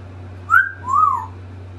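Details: African grey parrot kept as a pet, mimicking words: two clear whistled notes, the first short and high, the second lower, longer and gently arched, with a steady low electrical hum behind.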